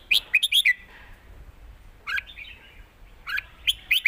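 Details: In a Thai song contest between caged red-whiskered bulbuls, southern master style: a fast run of four bright chirps, a pause, then rising whistled notes and another quick chirping burst at the end.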